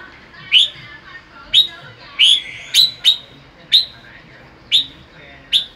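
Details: Sunbathing in the afternoon, a red-whiskered bulbul repeats crisp, downward-sweeping whistled notes about once a second in bọng style, some paired, over faint background hiss.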